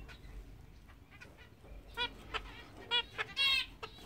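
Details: Zebra finches, a large English zebra finch pair of a grey male and a fawn female, give short, nasal, trumpet-like beeps, several in quick succession.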